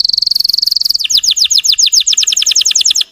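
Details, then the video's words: Russian canary lure song for provoking canaries: a quick steady trill followed by a run of about twenty fast repeated downward-sweeping chirps. "PANCINGAN SUARA BURUNG KENARI RUSIA UNTUK MANCING EMOSI BURUNG BAHAN"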